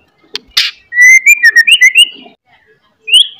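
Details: A white-rumped shama in morning song, loud and used as a lure to make other shamas aggressive: after two clicks, a run of bright rising and falling whistled notes, a pause, then one upslurred whistle.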